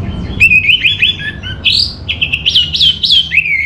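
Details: Orange-headed thrush in rich, fast song: varied whistled and warbled phrases, with slurred rising and falling notes run together almost without pause, over faint low background rumble.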